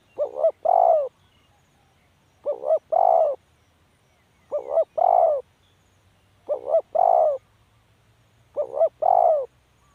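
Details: Spotted dove delivering five evenly spaced phrases, roughly every two seconds: a quick double hoot, then a longer soft coo sliding downward, with only faint low hum behind.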